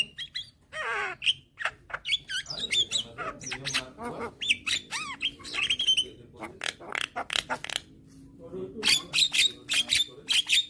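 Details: A young white-eyed Javan myna calls diligently to lure hybrid mynas. Its head-bobbing call is a dense jumble of squawks, slurred whistles and sharp clicks, tightening into rapid ticking notes at the end.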